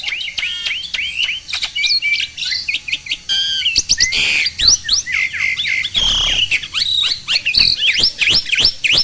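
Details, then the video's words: Starling, recorded to stimulate lazy birds to sing, delivers a long, busy medley of chirps, squawks and whistled swoops with rapid, irregular notes throughout. "SOLUSI UNTUK BURUNG JALAK MALAS BUNYI!!"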